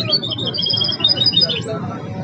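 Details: Goldfinch hybrid singing phrases from the Belghith, Jnan al-Hasira and Si al-Fahm styles: a short burst of high, clear twittering and trilled notes, softening near the end, with low background rumble.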